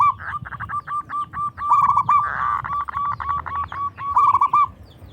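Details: Local Zebra Dove (perkutut lokal) in full, loud voice, singing to provoke rival doves into answering: a fast, even string of short mid-pitched coo notes with rolling trilled phrases mixed in, over faint low rumble.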